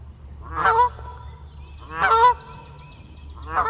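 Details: Geese honking while flying: three loud, harsh, nasal honks about 1.4 seconds apart, each a rich buzzy stack, over a low steady hum.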